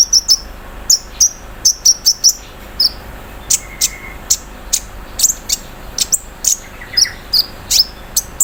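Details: Olive-backed sunbird kept in a cage and put out in the morning dew, singing a song filled with embroidery-machine mimicry, 'cerrr'. Steady stream of high, sharp ticks and thin slurred whistles, with a brief lower buzzy tone midway.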